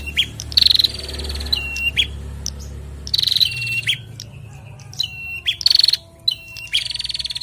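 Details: Pair of bar-winged prinias, male and female, calling back and forth: clipped high whistles dropping slightly in pitch, then fast rattling trills, in four bursts across the stretch over a low background hum.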